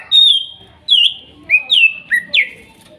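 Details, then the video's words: Singing therapy from a forest-caught greater green leafbird of Kuningan, trotol and nopeng stage: six loud, pure whistles, each a sharp slide downward, spaced roughly half a second apart. "TERAPI CUCAK IJO MACET BUNYI BAHAN HUTAN KUNINGAN TROTOL DAN NOPENG"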